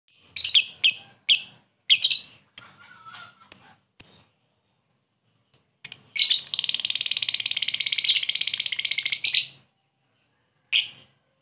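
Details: Lovebird calling a rival in ngekek style, used as a lure: a run of sharp, high chirps, then a long, fast, unbroken trilled chatter lasting about three and a half seconds, and one last chirp.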